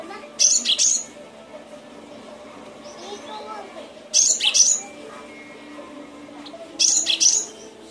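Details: Cinereous tit for songbird training: three evenly spaced bursts of loud, rasping high double notes, roughly every three seconds, set against constant low murmuring and twittering from other birds.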